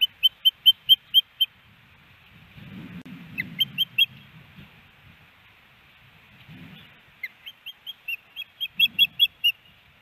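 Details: Nest-camera recording from Hellgate Canyon, Missoula, Montana, May 18, 2019: a female osprey calls for her mate with bursts of shrill, whistled chirps in quick runs of five to eight notes. Low rumbling background noise fills the pauses.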